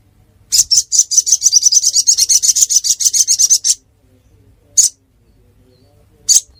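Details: Ruby-cheeked sunbird singing in Pidie regency, Aceh, Indonesia. A fast, even trill of about twenty-five high chips lasts roughly three seconds, then two isolated sharp notes follow after pauses.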